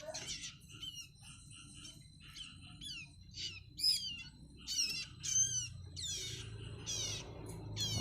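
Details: Bar-winged prinia chicks, young and not yet feeding themselves, being hand-fed: rapid, high, buzzy begging chirps in overlapping bursts about every second as they compete for food, over a low room hum.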